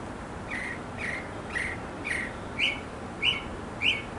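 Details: Male mockingbird singing for several minutes to win a female in a backyard: a run of repeated phrases, first three buzzy slurred notes, then three sharper rising chips, each about half a second apart, with faint traffic noise behind.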